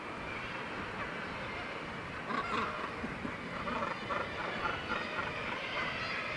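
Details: Colony of Northern gannets on the Syltefjordstauran cliffs, Varanger, north-east Norway. A steady rasping chorus; louder, clearer croaking calls stand out partway through.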